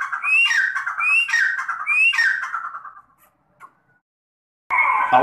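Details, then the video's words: Partridge calling with three loud, harsh, rising notes about one second apart, each sliding upward and then falling away, followed by silence and then a burst of other noise. "Teetar ki Awaaz"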